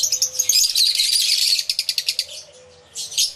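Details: Intense, high twittering from many aviary lovebirds rattles along at a fast pulse, then pauses briefly before another burst.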